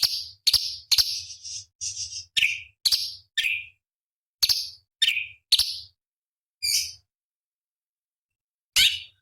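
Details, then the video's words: Cucak cungkok bulbul, a master recording for competition songbirds, gives sharp bursts of high chirps and short down-slurred whistles, spaced irregularly with pauses, over a faint low hum. "Masteran Cucak Cungkok Istimewa ~ Isian Pedas Tajam Kasaran"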